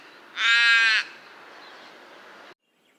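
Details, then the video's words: Raven giving a single loud, harsh, hoarse call lasting about half a second, rich in stacked overtones, followed by a faint low hiss of background noise. "Raven Sound | Mysterious Calls of One of Nature’s Smartest Birds"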